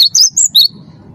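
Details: Cinereous tit, a caged bird whose song serves as a lure for other captives: three high, clear whistled notes sliding between pitches, given quickly within under a second, then fading into low hum.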